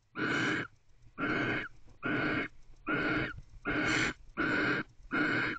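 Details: Barn owl recorded at night on 31 December 2023 in a nest box, standing guard at the door; seven rasping hisses follow one another at a steady, slightly uneven pace of about one per second.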